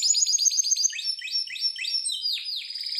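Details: Harz Roller canary performing training song: a quick run of high chipped notes, then lower rolling trills and two sweeping downslurred whistles.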